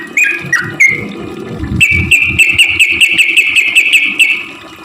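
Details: Sooty-headed bulbul voice used as a lure for reluctant singers: two swooping notes, then a fast, even series of high whistled pips in rapid succession, with some low thumping noise underneath.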